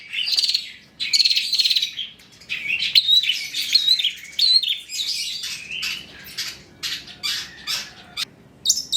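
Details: Long-tailed shrike singing to stir other shrikes into song: a jumbled run of scratchy warbles and thin whistled slurs, then sharp clicking notes toward the end.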